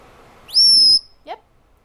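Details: Piercing sustained whistle from a male pet Senegal parrot, which talks and screams more when hormonal, rising sharply then holding steady for half a second before a short low chirp; quiet room otherwise.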